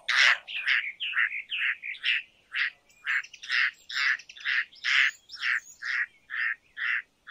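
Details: Indian roller giving a long series of harsh, rasping croaks, roughly two per second, each note broad and grating, with a few thin higher chirps mixed in.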